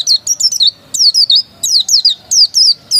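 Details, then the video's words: Oriental white-eye, local pleci, dakun type said to be original; lively, loud high-pitched song of quick descending whistles, grouped in runs of three or four notes with brief gaps. "Suara burung pleci dakun masih asli"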